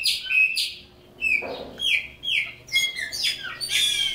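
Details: Caged chopi blackbird (pássaro preto) from Brazil singing: clear whistled notes, short downslurred phrases and sharp chirps separated by brief pauses, with one lower broadband burst midway.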